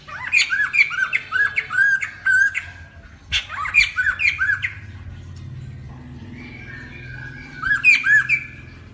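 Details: Lesser necklaced laughingthrush singing as a trapping lure: series of loud, hooked, rising-then-falling squawky whistles delivered in quick bursts of four or five, separated by pauses, with a low background hum.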